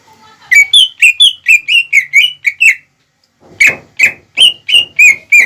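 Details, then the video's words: Greater green leafbird delivering a lure song that quickly stirs rival birds: a burst of about ten loud, rapid whistled notes, a one-second pause, then seven more ringing whistles at a steady fast pace. "PANCINGAN CUCAK IJO GACOR CEPAT MEMANCING EMOSI LAWAN"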